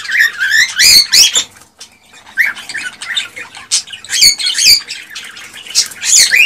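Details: Cockatiel singing, played to stimulate mating and breeding: loud bursts of rising whistles and rough squawky chatter, with a pause near the middle, then more whistled phrases and harsh notes.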